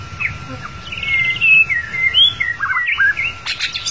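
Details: Lure song of a white-rumped shama for trapping: continuous melodious whistles, long slurred notes sliding up and down, ending in a few sharp high chips and a buzzy burst.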